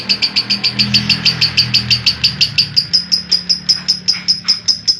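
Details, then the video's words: Lovebird in a long unedited ngekek trill used as a master recording to coax lazy young and adult birds into singing: sharp high chattering notes repeated rapidly and steadily, about five per second, with a faint low hum beneath. "Masteran Lovebird Yang lagi Viral, Ngekek Panjang Suara Asli Jernih, Jos Buat Pancing Paud & Bahan"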